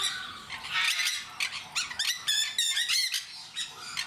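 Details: Zoo-kept jenday parakeets in Mysore giving a fast, noisy string of shrill, rasping screeches, nearly a dozen sharp calls packed closely together over a few seconds.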